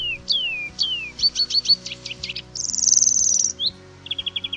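European Greenfinch song: high slurred notes, quick twittering runs, then a long rapid trill and short repeated chips, over soft background music.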